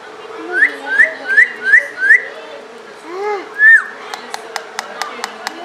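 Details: A pet parrot, said to talk in Pashto, whistles five rapid upslurred notes, then a low arched note and a bright rising whistle, followed by regular sharp clicks.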